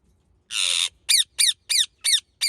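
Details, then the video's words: Indian ringneck parakeet calling in its natural voice: one harsh, broad screech followed by a series of short, shrill, downward-sliding squawks repeated roughly every third of a second. "Indian ringneck parrot natural voice"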